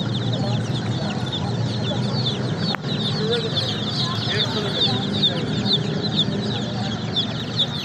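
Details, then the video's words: Baby chicks peeping steadily in a crowded flock, thin high chirps running throughout over a constant low hum and faint background murmur. "Baby Chicks Chirping sound"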